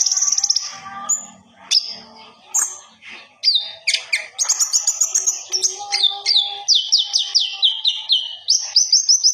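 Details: Master recording of a common iora singing vigorously and displaying: scattered high chirps, then a long varied phrase of rapid trills and repeated downslurred whistles, each dropping sharply.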